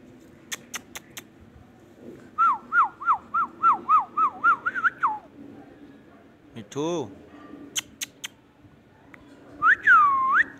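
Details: Indian ringneck parakeet giving a quick run of about ten short, bouncing whistled notes, then a harsh buzzy squawk, and finally a single loud rising-and-falling whistle, with faint sharp clicks in between.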